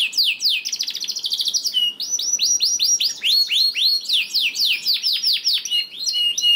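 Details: Canary singing, played to get lazy canaries singing quickly: a brief buzzy trill, then a long series of loud, evenly spaced downward-curving chirps, roughly four per second, with occasional clear whistled notes.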